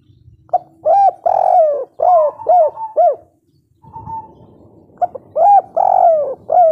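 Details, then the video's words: Spotted dove (derkuku) of local stock giving the kuk 3 coo: loud, mellow, arched coo notes in rapid groups of four or five, separated by a short gap with a faint drawn coo. "Derkuku kuk3 lokal gacor ngamuk langsung nyaut - suara empuk pol"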